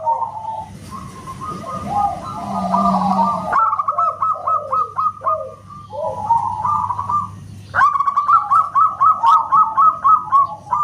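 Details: Loud zebra dove (perkutut lokal) song likened to a whistle: rapid strings of short staccato coos, then fuller rolling phrases. Lower overlapping coos and a low background hum are also heard.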